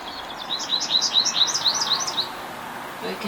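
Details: American Goldfinch, a summer returnee, in morning sun: a quick run of bright high twittering notes, about a dozen short chirps in two seconds, then a pause, over a soft steady background hiss.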